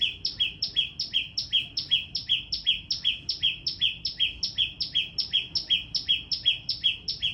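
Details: A small bird's piercingly loud calling, so loud it is said to numb the ears: evenly spaced, sharp, high-then-lower double chirps repeated steadily, roughly two and a half pairs per second, throughout.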